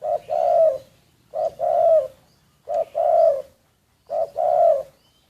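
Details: Decoy spotted dove, recorded secretly, giving four steady cooing phrases roughly every one and a half seconds, each a brief low note followed by a longer mellow coo.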